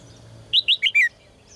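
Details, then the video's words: Caged red-whiskered bulbul singing, recorded to prompt males to sing strongly: one short phrase of four loud, clear whistled notes, the last slurring downward, over a quiet background hum. "นกหัวจุก birds - เสียงนกร้องในกรง กระตุ้นนกตัวผู้ให้ร้องอย่างแรง"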